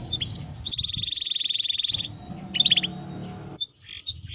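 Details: Timbrado canary giving a smooth, even trill of fast repeated notes lasting over a second, with short chirps before and after and a low rumbling background throughout.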